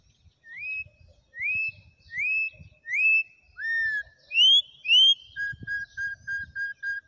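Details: Wild campo troupial song of rich, rising slurred whistles repeated about once a second, one lower downslurred note, then a quick series of six short, even, flat whistles.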